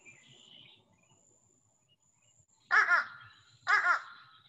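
Fish crow giving two short, nasal, hoarse caws about a second apart, higher and more pinched than an American crow's, over a faint background hum.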